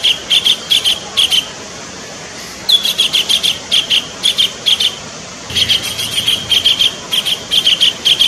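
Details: Kingfisher calling, recorded as a lure for attracting birds: repeated short, sharp, high notes in uneven bursts separated by brief silent gaps, with a faint low hum in the background.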